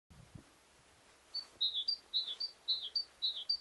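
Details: A Yellowhammer singing in the trees gives a quick series of high, thin, clipped notes, falling slightly in pairs and repeated about twice a second, after a couple of soft thumps.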